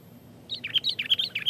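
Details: Sooty-headed bulbul in dense, provoking song for luring other bulbuls; a quick string of bright, slurred chirping notes tumbling together, clear and close.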